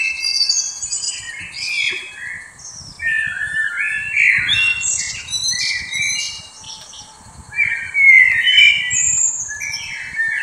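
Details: Captive kaka at Stuttgart Zoo: loud, harsh, grating squawks and screechy rasping calls, some overlapping, in an irregular stream with brief pauses.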